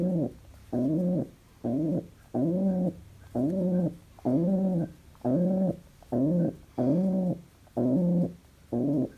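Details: Happy domestic pigeon kept as a pet delivers a long run of ten low, rich cooing notes over nine seconds, evenly spaced at roughly one per second.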